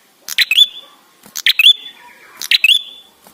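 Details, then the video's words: Ashy tailorbird song used to coax other birds into singing. Three energetic phrases about a second apart. Each is a quick rattle of clicks topped by a sweeping whistle that flattens into a long, thin note. Quiet background chatter is present. "Prenjak gacor suara ampuh untuk pancingan"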